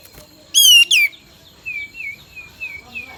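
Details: Bulbul song played as a lure to make another bird sing loudly: two harsh, harmonic-rich notes, then a series of thin, slurred whistles repeated about every half second, over a steady faint hum.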